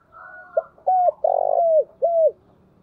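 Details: Spotted dove, a decoy bird cooing to attract wild doves, gives a phrase of four low notes: a short one, a clear falling coo, a long buzzy coo and a final falling coo, with a faint higher sound before.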